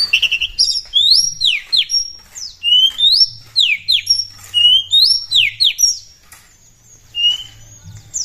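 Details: Actively singing Oriental magpie-robin, a lure recording meant to set other birds singing: loud, clear whistled phrases with rising and falling slurs, repeated in bursts about every second, then a short pause and more whistles.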